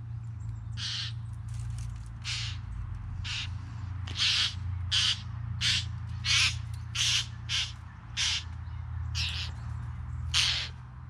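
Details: Three bowerbirds deliver a steady string of about a dozen scratchy, hissing rasps, spaced under a second apart and strongest mid-series, against a persistent low hum.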